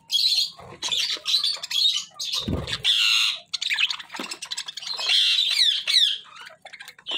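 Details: Pet budgerigars chatter in a steady stream of high, scratchy warbles and sharp squawks.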